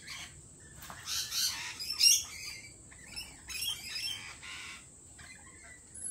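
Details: Harsh, overlapping squawks and screeches from lorikeets at a lorikeet cafe come in uneven bursts, with one sharp peak call and softer rasping chatter around it.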